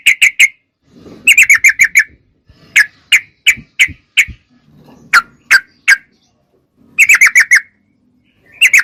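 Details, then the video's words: Sooty-headed bulbul singing vigorously in a clear recording: short bursts of bright chirped notes, some spaced singly and some in quick clusters of four or five, separated by brief quiet gaps with soft low rumble. "Suara Trucuk Gacor Super Jernih"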